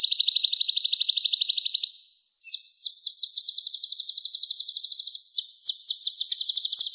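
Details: Sunbird singing two long trills: first a smooth, dense, very high trill, then after a short silence a sharper, clicking, evenly repeated series of thin notes.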